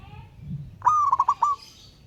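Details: Wild local zebra dove cooing to challenge a rival: a single loud phrase opening with a drawn-out whistled note, then three or four rapid clipped coos in a stuttered roll, over quiet background hum.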